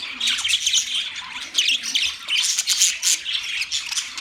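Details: Budgerigars kept in a cage with a new setup, steady busy chatter of many birds: sharp high chirps and scratchy squawks in pulsing bursts, with no pause.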